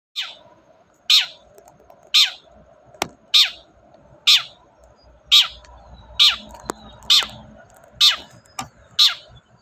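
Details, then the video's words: Long-tailed shrike in full, lively voice, a recording meant to prompt a silent shrike to sing: loud harsh rasping notes repeated about once a second, nine in a row, over a faint low hum. "BURUNG CENDET GACOR DOR, pancingan ampuh cendet gak mau bunyi"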